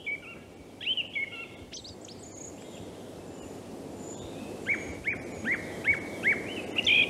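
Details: Song thrush (Turdus philomelos) singing in Norway, from a radio archive recording: varied clear whistled phrases, then one short bright note repeated about six times quickly, over steady outdoor hiss.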